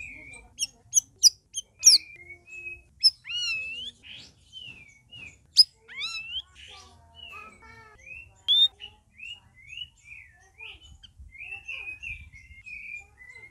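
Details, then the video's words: Several kept red-whiskered bulbuls singing together, first week after being cared for; a run of clear, wavering whistled notes, some rising and some slurred downward, delivered in quick succession with a few sharp chirps. "CUCAK RAWIS OMBYOKAN"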